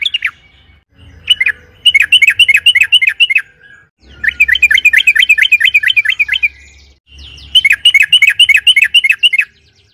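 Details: Energetic sooty-headed bulbul song for provoking other birds: three bursts of fast, bubbly repeated whistles, each a rapid run of about ten notes, separated by short quiet gaps.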